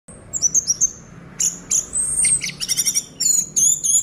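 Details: Caged orange-headed thrush (anis merah) singing in the steady 'gacor teler' style while its cage is shaken: high, thin whistled phrases, some slurred down, others in fast stuttering trills, coming in quick bursts with brief pauses.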